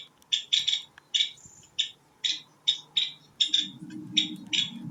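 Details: Nuttall's woodpecker, a non-migratory year-round resident of Coto de Caza oak woodland, gives about ten short, dry, high-pitched rattling 'pit' notes in quick, uneven succession, with a faint low rumble near the end.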